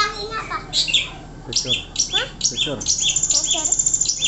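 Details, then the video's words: Long-tailed shrike, a singing competition bird in full song, giving a rapid, varied jumble of high chirps, sharp whistles and quick downward sweeps, a couple of notes per second. "Burung kicau raja gantangan | Pentet DM"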